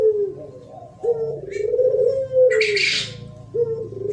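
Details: Spotted dove cooing in the 'thổ pháp' style, used for provoking rival males and females: a short coo, then a long mellow rolling phrase, another short coo starting, and a brief hiss of noise midway.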